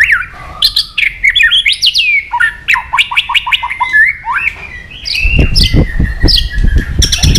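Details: White-rumped shama singing to provoke emotion in another shama. Swooping whistles and a run of repeated dropping notes build into a long sustained whistle, while low thuds and rumbling are heard toward the end.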